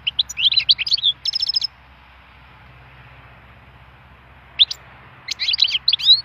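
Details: Wild European goldfinch delivers rapid, liquid twitters and tinkling high notes in two lively phrases, with a silent pause between them.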